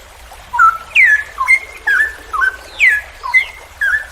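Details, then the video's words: Cucak rowo, the straw-headed bulbul, singing the long ropel panjang style used to train other songbirds: rich, slurred whistles rising and falling, delivered in quick repeated bursts over steady low background hum. "MASTERAN cucak rowo Berkelas||ROPEL PANJANG"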